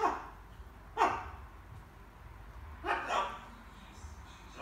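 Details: Pet macaw babbling during evening word practice, giving a few short, husky, mid-pitched syllables separated by quiet gaps, with soft room background.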